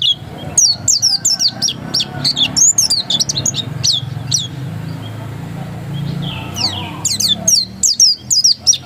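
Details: Oriental white-eye giving 'ngotot' song, fast runs of sharp high descending whistles, pausing mid-clip before resuming in dense bursts, with steady low humming noise beneath.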